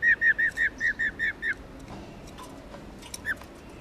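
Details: Rolling 'mái ro' song of a female white-cheeked laughingthrush, subspecies lugens, used to stir males into singing. A quick run of eight even, slurred whistled notes lasts about a second and a half, then one last note after near silence.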